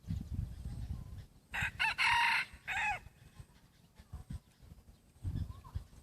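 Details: Second-generation rooster crossed with red junglefowl, 50% wild blood, dark red-black feathers still molting, voice shifting slightly: loud crow with a clipped opening, a long raspy phrase and a falling end note, amid low thumping background noise.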